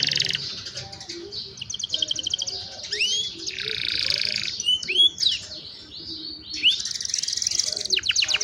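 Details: Young canaries singing, meant to train other canaries, recorded on a cellphone: varied song of buzzy trills and rapid rolls, with sweeping down-slurred whistles and a long dense buzz in the middle.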